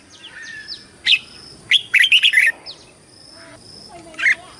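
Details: Red-whiskered bulbul song used in competition and flock calling, a chirp then a quick burst of warbled notes, with fainter thin downslurred whistles of other birds before and a last chirp after.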